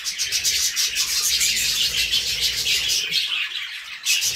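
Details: Budgies in full song, continuous shrill chattering warble of fast chirps and whistled notes, briefly thinning before a final loud burst.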